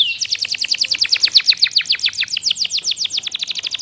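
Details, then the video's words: Lively canary singing a long, rapid trill of crisp, high falling notes, repeated many times per second and steady throughout, over faint background hiss. "Kompilasi Masteran Kenari Gacor panjang full isian"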